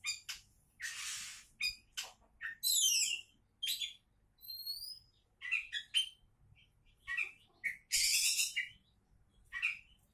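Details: Kacer, or Oriental magpie-robin, presented as a future champion, giving a busy varied song. Rasping noisy bursts alternate with clear high whistled notes and quick chirps, packed closely over ten seconds.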